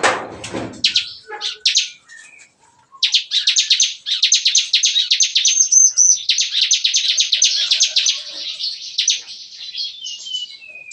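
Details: Bar-winged prinias (ciblek kristal) singing busily in a breeding aviary cage in the morning, in the 'nembak-nembak' shooting style: a brief noisy burst, a pause, then a long run of rapid, sharp, high chattering notes fired in fast succession.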